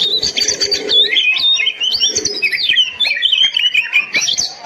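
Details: Oriental magpie-robin (kacer) singing as a tutoring recording meant to set other kept birds singing: a loud, continuous, high-pitched stream of varied whistles, sweeping slurs and quick chattering trills. A soft, low cooing murmur is heard underneath near the start and middle.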